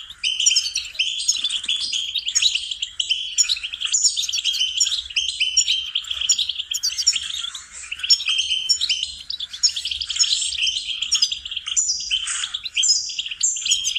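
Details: A goldfinch sings a long, unbroken stream of fast, tinkling twitters and bright chirps for about fourteen seconds. The recording is used as a song-training lesson.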